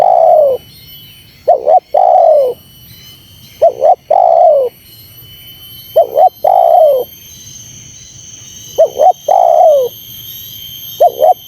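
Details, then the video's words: Series of spotted dove calls for luring and agitating wild doves. Around five phrases of a quick two-note warble and a sustained, gently falling coo, evenly spaced, over a faint steady high hiss. "Suara Terkukur Menekan Rapat Lawan Pemancing EMOSI Terkukur liar"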